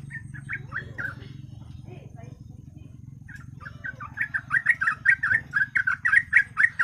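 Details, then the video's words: Yellow-vented bulbul song meant as a lure to get birds singing. A few scattered warbled notes come over a low droning hum, then a dense, lively series of bubbly chattering phrases takes over for the last three seconds. "TRUCUK GACOR,TRUCUK ROPEL,PANCINGAN BURUNG TRUCUK AGAR GACOR DORR"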